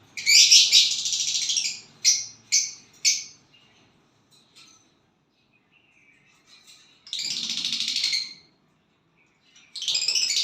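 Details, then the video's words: Violet bird singing with a partner: a loud buzzy chirp, then four short clipped chirps, near silence, then a long rasping buzzy phrase and another starting at the end. "violet bird singing and chirping sounds when you get a partner"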